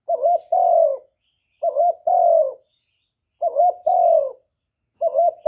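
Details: Spotted dove giving a luring coo meant to excite other kept doves, recorded cleanly: paired phrases of a quick wavering note and a longer drawn-out, gently descending coo, repeated about every one and a half to two seconds.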